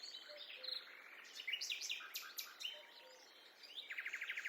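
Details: Birds singing during a peaceful forest walk: varied quick chirps, short whistled notes and trills from several birds. A rapid, evenly spaced chattering run comes near the end. The calls are fairly distant over a quiet background.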